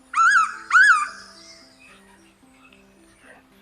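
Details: A Blue-winged Pitta (Pitta moluccensis), rarely seen, in humid tropical Malaysian rainforest gives two loud, clear whistled notes, each gently rising then falling, about half a second apart, over soft background music.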